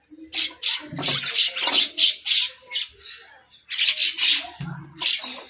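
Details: Crows squabbling over food alongside mynahs: a long run of loud, rasping caws, several per second, breaks off briefly, then resumes with another harsh burst of calling.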